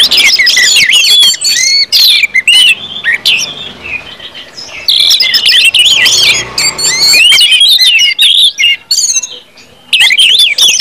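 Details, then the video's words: Orange-headed thrush ngeplong song for getting birds to sing readily: energetic bursts of warbled, rising and falling whistles and chattering notes, broken by a softer lull mid-way, then resuming loud and dense. "KUMPULAN ANIS MERAH NGEPLONG BIKIN CEPAT BUNYI DAN GACOR ANIS MERAH"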